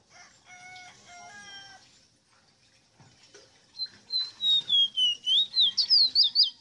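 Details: Ruddy-breasted seedeater (Sporophila minuta), locally called ave rosita, singing: after faint harmonic calls in the background, a loud run of about ten clear whistled notes slides downward, then zigzags up and down in quick succession.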